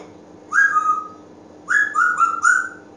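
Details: Pet African Grey Parrot whistling indoors: one clear falling whistle, a pause, then three or four shorter whistles in quick succession, fairly low and tonal, over a faint steady hum.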